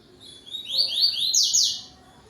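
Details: Yellow-billed double-collared seedeater at dusk on 12 November 2025, singing its tuí tuí zel zel song to another bird: a loud, high run of quick rising and falling slurred whistles, about four notes, then a sharp ringing ending.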